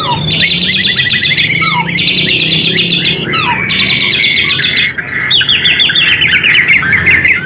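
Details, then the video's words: Lure recording of White-rumped shama song for rousing other shamas: fast repeated trilled phrases lasting about one to two seconds each, with short downslurred whistles between them, over a steady background hiss. "MURAI BATU GACOR Ampuh buat pancingan"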